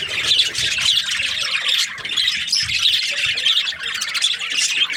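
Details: Group of budgerigars in breeding season giving steady, high warbling chatter, countless overlapping chirps and squawks forming an unbroken cheerful din.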